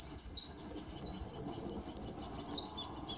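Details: A European goldfinch on a rainy day sings a quick, tinkling twitter of high, bright notes in short bursts about three per second, over a soft low background hiss.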